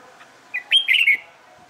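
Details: Red-whiskered bulbul trained for singing contests delivers one short phrase: a soft lead note, then three loud, clear whistles sliding up and down.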